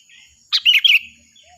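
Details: A single loud, shrill sooty-headed bulbul phrase, recorded as training song for other birds: a sharp opening note followed by a quick run of liquid, gurgling chirps lasting about half a second.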